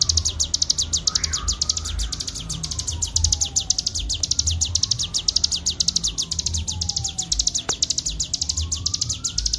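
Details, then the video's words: Continuous ngebren song of a bar-winged prinia (cigun), meant as a clean master recording: dense, fast strings of sharp high chirps running without pause, over a soft wavering background tone and low rumble. "masteran cigun ful ngebren gacor suara jernih"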